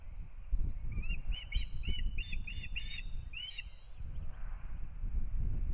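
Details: Osprey pair at a Latvian nest in Kurzeme as breeding begins, April 2022; loud, ringing whistled chirps given in uneven clusters, some doubled, over steady wind noise.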